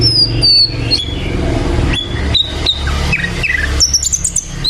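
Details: Sikatan londo flycatcher singing actively: a long high whistled note slides down, followed by short sharp whistles and clicks, then a rising burst of bright notes at the end, over steady low engine-like rumble.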